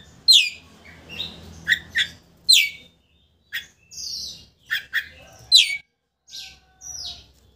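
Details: Oriental magpie-robin song used to provoke a rival into opening its tail: loud, sharp downward-sweeping notes alternating with short whistled phrases, separated by brief pauses.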